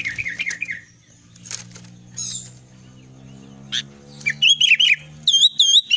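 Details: Albino sooty-headed bulbul in full song: scattered sharp chips and a faint warble early, then lively bubbling, looping phrases of clear notes in the last two seconds, repeated in quick succession.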